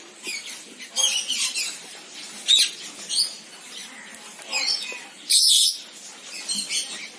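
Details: Senegal parrot (Poicephalus senegalus) giving harsh, high squawks and chattering notes in bursts about every second, with a louder screech near the end.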